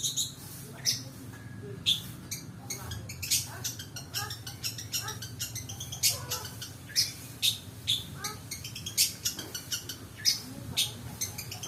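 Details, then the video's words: Long-tailed Shrike fill-in lure song: a long stream of short clicks, chips and scratchy notes at varying loudness, with occasional sharper squeaks and a low background hum. "pancingan suara pentet full isian"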